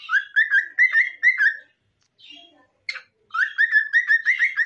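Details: Cockatiel singing alongside a green parrot: a run of clear whistled notes, each sliding upward, repeated about three per second, a short pause with soft chirps, then the whistled run resumes more rapidly.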